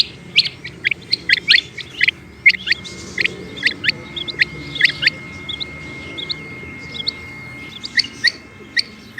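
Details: Calling female rain quail gives rapid, sharp, high-pitched chirps, often in pairs or triplets, about fifty notes a minute at uneven spacing, with a thin steady tone behind.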